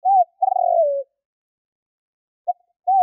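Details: Spotted dove lure call used to draw in wild doves for trapping: a short rising-falling coo, a longer wavering coo sliding downward, then after a pause a clipped note and another arched coo, against total silence.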